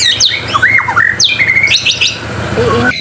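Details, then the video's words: White-rumped shama gacor masteran: sweet whistled phrases with steep downslurs and upslurs, a rippling level trill, then quieter twittering notes fading at the end. "MASTERAN MURAI BATU GACOR SUPER JITU"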